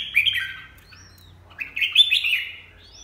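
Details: Red-whiskered bulbul with two loud, clear phrases of rich, slurred whistles, the second rising and wavering, separated by a short pause over a faint low hum.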